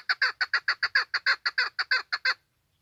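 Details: A female chukar, recorded as a hunting call, gives a quick run of about fifteen loud, rasping chuck notes at an even pace. The notes stop abruptly, leaving silence.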